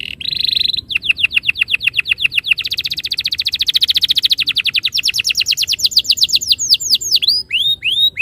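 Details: Lure song of a canary, used so canaries quickly begin rolling: a short buzzy note, then a long, even rolling trill of rapid notes that grows brighter, ending in looping curved whistles.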